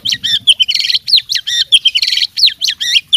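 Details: Oriental magpie-robin, a fighting bird, singing in full with mimicked fill-in phrases: loud, rapid, varied whistles and chattering buzzy bursts follow one another almost without pause, with sharp upslurred notes.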